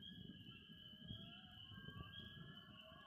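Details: Loons singing in Vermont at a campfire: long, steady, drawn-out wailing tones held for the whole stretch, layered with faint higher overtones, over the low crackle and pops of a burning fire.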